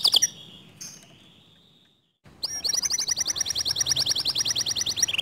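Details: Canary song said to rouse other canaries: a brief note, near-silence for two seconds, then a loud fast trill of repeated high notes ending in a buzzy roll.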